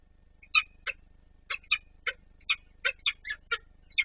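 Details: Harsh, grating calls from peregrine falcons during a feeding at the Palace of Culture and Science, Warsaw, 26 April 2024. Loud scratchy notes repeat irregularly, roughly two to three each second, with a faint low hum behind.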